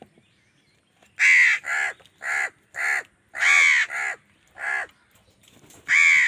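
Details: A crow fighting wild birds for food calls angrily in a rapid burst of about nine harsh, nasal caws of varying length and loudness after a second of quiet.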